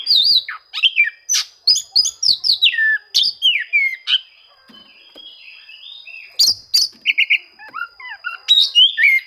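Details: Oriental magpie-robin song for seeking rivals and provoking silent birds: quick bursts of varied whistles and clicks, a quieter stretch mid-clip, then more whistled phrases and chips.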